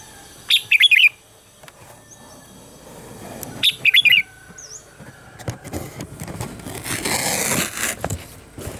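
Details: A red-whiskered bulbul gives morning song meant to train other bulbuls: two matching quick warbled phrases about three seconds apart, then rising hiss-like background noise and scattered faint chirps.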